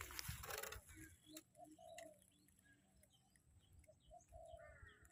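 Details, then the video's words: Spotted dove used as a decoy to lure wild doves, recorded in the morning. Short, low hollow coo notes come in small groups, with busy chirping and whistling from other birds and some clatter at the start. "ต่อนกเขาใหญ่เจ้าหมูป่า เช้านี้จัดเสียงกลางลงเล็ก"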